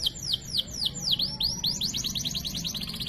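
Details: Canary masteran song, cengkok mewah style: loud falling whistled swoops about three per second that speed into a quick rising trill, with faint low hum behind.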